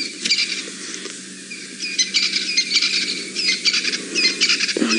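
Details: Crested francolins near a hyena den in Djuma Game Reserve, Sabi Sand, South Africa, on a chilly 4 September 2017 in golden light, give very loud, harsh, rattling calls in quick scratchy bursts.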